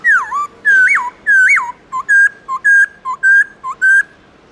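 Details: Forest-type morning singing of a black-throated laughingthrush: a few looping, swooping whistles, then a regular run of paired notes, each a short lower pip followed by a sustained higher whistle. The notes are loud and clear against a quiet background.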